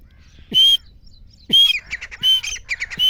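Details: Grey francolin call, presented as a sound for hunters: two sharp, piercing high notes about a second apart, then a quick run of bright, clipped notes ending in a final ringing note. Little background noise.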